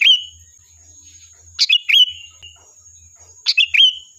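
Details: Sooty-headed bulbul song played to provoke a reply: a whistled tail note, then two phrases of sharp chirps ending in bright whistles, nearly two seconds apart, in quiet surroundings.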